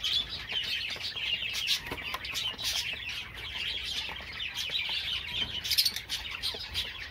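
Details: High, busy twittering from Java sparrows, with overlapping chirps and trilled phrases running without pause and peppered with crisp clicking sounds throughout.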